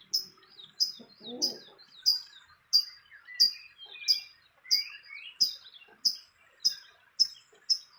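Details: Fantail at its nest in the wild, a series of short sharp high chirps repeated about every half second throughout, with softer lower twittering notes in between and a brief low rustle early on.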